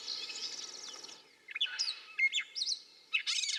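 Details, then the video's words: Gray Catbird singing a jumbled run of squeaky, mewing and chattering notes, each phrase different, with a faint hiss of background noise. "Gray Catbird - Bird Sounds"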